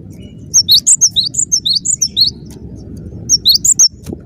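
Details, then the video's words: High, rapid whistled song of a cinereous tit singing intensely: a long string of alternating sharp two-note figures, then a brief pause and a shorter closing phrase, over low rumbling noise. "Suara rapat +GACOR banget, gelatik batu gacor"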